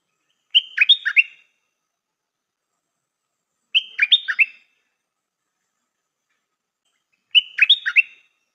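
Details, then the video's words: Stripe-throated bulbul used as a decoy, praised for its singing style, repeats the same bubbly whistled phrase three times at intervals of about three seconds. Each phrase is short and made of several slurred notes. "เสียงนกดอกแตงEp.135 จ้าวขันทอง นกต่อใหม่เปิดดอกน่าฟัง สำนวนดี Suara pikat merbah lekir"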